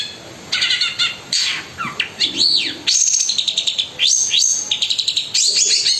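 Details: Long-tailed shrike delivering a rich 'isian' song with rough fillers: arched whistled sweeps, a rasping passage, and closing bursts of quick, stuttering high notes.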